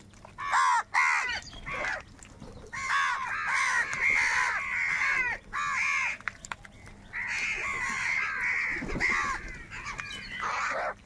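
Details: Huge numbers of crows fighting over food, cawing and crying: bursts of harsh overlapping caws separated by short quiet gaps, several birds calling at once, longest chorus in the second half.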